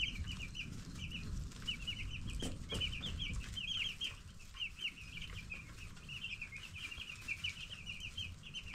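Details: Many broiler chicks, ten days old and growing on a chicken farm, chirp continuously in a flock: quick high peeps packed closely together and overlapping, with a steady low hum and a few scattered knocks underneath.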